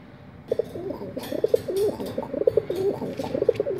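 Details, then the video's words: A pigeon sings low, throaty, wavering coos, rolling on almost without pause for three seconds, with a faint rustle behind. "pigeon singing"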